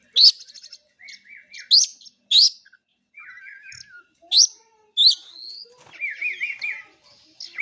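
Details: Oriental magpie-robin (kacer) singing loud sharp chips mixed with warbled, wavering whistles and trills, phrases coming in bursts with short gaps.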